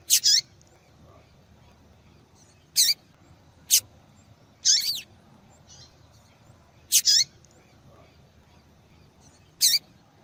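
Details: A female yellow-bellied seedeater calling a lot, a call used in female-call tournaments: about seven high, sharp chirps, several doubled or with downward sweeps, coming every one to three seconds over a low background hiss.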